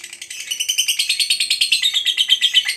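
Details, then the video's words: Lovebird of the fighter style in ngekek panjang chatter, a brief burst of quick, harsh, high pulsed notes repeated steadily and rising slightly toward the end. "SEKALI BUNYI, BIKIN AUTO NYAUT, Jadikan Lovebirdmu FIGHTER Rajin Ngekek Panjang"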